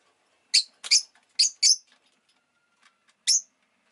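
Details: Rosy-faced lovebird uttering a quick series of four piercing chirps in close pairs, then a lone chirp after a short pause; a faint hum runs underneath.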